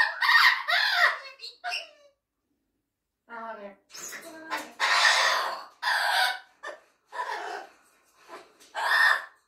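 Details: Congo grey parrot (Psittacus erithacus), a pet, giving a run of varied calls in short phrases with brief pauses: rasping squawks, clucking notes and speech-like bursts.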